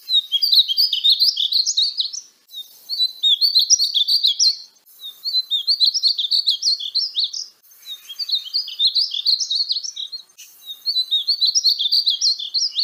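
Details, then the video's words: Painted bunting singing, a bright rapid warble of high sweet notes in bursts of about two seconds, separated by short pauses, repeated four times with no other sounds. "Conheça o belo canto do pássaro estamenha pintada (Passerina ciris)"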